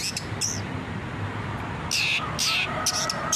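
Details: Long-tailed shrike for training kept birds: a few spaced, harsh, buzzy bursts with a short whistled note in between, and low hum behind.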